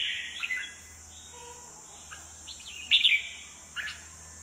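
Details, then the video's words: Aggressive red-whiskered bulbul on its perch, wings fanned; a warbled opening, softer scattered notes, then a loud rich burst near the end, over a steady high insect-like hiss and a low hum. "chào mào siêu lân , sàn cầu , xòe cánh ruồi ché đè"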